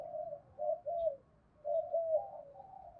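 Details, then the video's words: Faint cooing of a spotted dove used as a decoy for wild doves: two soft runs of low, even coo notes about a second apart against a noisy low rumble. "tieng cu gay kich boi nhanh noi gù hiệu quả"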